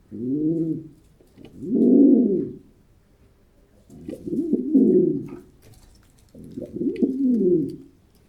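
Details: Pigeons giving four long, loud, throaty coos that swell and fade, spaced unevenly a few seconds apart, with short quiet gaps between them.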